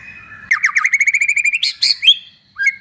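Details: Vigorously singing white-rumped shama, played to spur pet shamas into song: a fast run of about fifteen sharp, evenly spaced chips, then loud rasping bursts and a final upward whistle.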